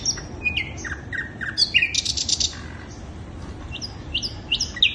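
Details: Sikatan londo flycatcher song used as a lure to attract birds: a varied run of high, thin whistles, falling slurs and short buzzy bursts, delivered in quick irregular phrases over a low background hum.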